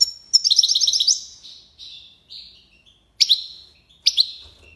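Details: European goldfinch singing: a quick run of bright, repeated high twittering notes, then a brief pause and scattered short chirps and high twitters, with no other sounds.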